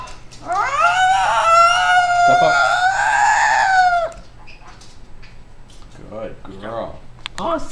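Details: Pet yellow-naped amazon (Amazona auropalliata), addressed as a girl, laughing and talking: a loud, drawn-out, richly harmonic cry of about three seconds, then softer speech-like syllables.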